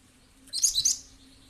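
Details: A single quick burst of high, squeaky chirps from a cinereous tit (gelatik batu), played as a lure to prompt birds into answering; a faint low hum lies underneath.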